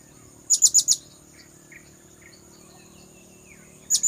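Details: Bird-luring sound of a blue-crowned hanging parrot: four fast, shrill high notes, a pause of about three seconds with faint chirps, then another burst starting.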